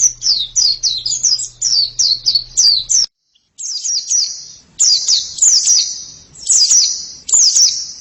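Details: White-eye pouring out fast, high descending whistles, then a moment of silence, followed by longer sustained high trills and slurred phrases; low hum audible at first.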